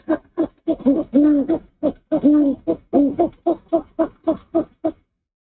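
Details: Male owl hooting at the nest at dawn on 04/06/23 while the female preens his cheek after he brings her a rat. Low, resonant hoots mixing long drawn notes with a steady run of shorter pulses.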